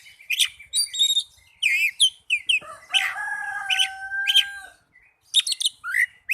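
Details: Song of an Oriental magpie-robin, used as a lure to get caged birds singing: bursts of chirps and curved whistles, then a long steady whistled tone under scratchy notes, ending in quick rising phrases.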